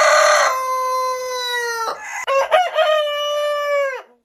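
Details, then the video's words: Rooster crowing: a long, loud, steady harmonic note held nearly two seconds, then a second crow with choppy wavering syllables leading into a sustained tone that drops off at the end. "Suara Ayam Berkokok Panjang Ayam Jantan Berkokok Rooster Crowing"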